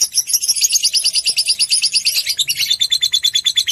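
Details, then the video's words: Rapid ngekek trill of a fighter lovebird, used as a lure to provoke other lovebirds into long trills: even, fast, buzzy chattering pulses continue throughout, with a faint low hum in the background. "pancingan love bird ngetik merangsang love bird ngekek panjang"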